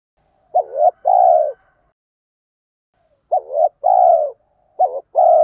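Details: A spotted dove acting as a decoy coos in the 'thúc gù' urging manner used to stimulate other doves; two full phrases of clipped double note plus long falling hoot, a third starting at the end.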